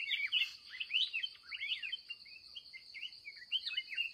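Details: Excited wild red-whiskered bulbul at the close of a day's trapping, singing quick, bright chattering phrases of upward and downward slurs, closely spaced, over a loud steady insect buzz.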